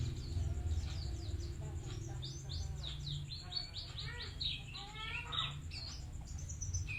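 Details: A caged white-eye sings a fast, varied run of high twittering and chirping notes, dense and continuous across the clip, over a steady low hum.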